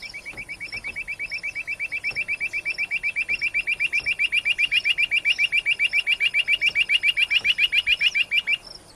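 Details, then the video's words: A quail gives a fast, even series of high, sharp chipping notes, nearly four per second, growing louder for about eight seconds before stopping. "Quail Bird"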